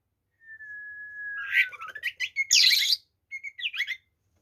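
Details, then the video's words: Fighting-style song of an Oriental magpie-robin, loaded with varied phrases to provoke rivals: opens with a long level whistle sliding slightly down, then tumbling chirps, a harsh burst and quick looping whistled notes. "SUARA BURUNG kacer gacor TARUNG FULL ISIAN ini PALING AMPUH MEMBUAT KACER EMOSI"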